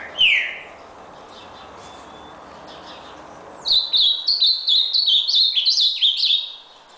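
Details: A single rising whistle opens, then after a pause a red nose ultramarine grosbeak delivers a fast run of high, slurred, sweet notes lasting nearly three seconds, each note bending up and down.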